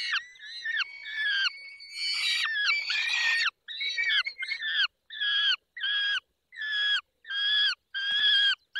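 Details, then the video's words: During peregrine falcon feeding, Barycz Valley, 20 May 2021, 10:22, mixed whistling and harsh squeals give way to evenly spaced nasal squawks, roughly one every 0.6 seconds. "Karmienie 10:22 Dolina Baryczy 20 05 2021 sokół wędrowny"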